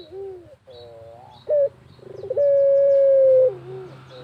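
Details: Barbary dove of the pelung type calling vigorously in the countryside: low wavering notes, one short sharp note, a stuttering pulsed run, then a long steady drawn-out coo lasting about a second.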